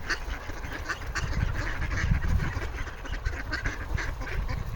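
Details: A group of ducks begging for food on a frozen Toronto pond, Canada, 28 January 2025, giving rapid overlapping quacks in quick bursts over strong low-pitched background rumble.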